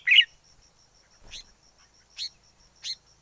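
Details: Forest red-whiskered bulbul: one loud, rich warbled note, then three softer, higher chirps spaced roughly three-quarters of a second apart, over a faint steady high whine.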